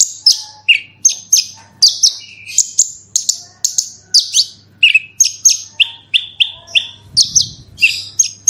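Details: Horsfield's bush lark, a kept songbird, in energetic 'gacor super roll tembak' style song used as a lure to make other birds sing: rapid high whistled notes and short buzzy bursts in quick succession, over a faint steady low hum.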